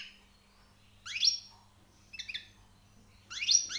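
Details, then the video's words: Three spaced bursts of bright, tinkling twitter from a newly caught European goldfinch, each a quick cluster of high sweeping notes about a second apart, over a faint steady hum. "غناء_ مقنين_ جديد_ نوطاة_ عاليه_ومفقودة_حسون _صيد جديد_"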